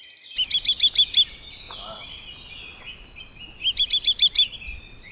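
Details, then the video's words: Pearl Kite in Costa Rica giving two bursts of about six high, sharp chipping notes in quick succession, roughly three seconds apart; faint background noise. "PEARL KITE"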